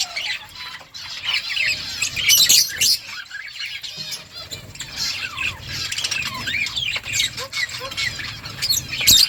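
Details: Many budgerigars in a colony chirping at once, warbling rising notes and squawks over a soft low background hum.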